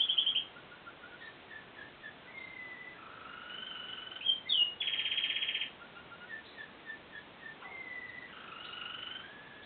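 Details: Seven-month-old male American Singer canary singing in his cage just after it was cleaned: soft, somewhat distant song of short whistled notes and held tones, with one louder rapid trill in the middle, over steady background hiss.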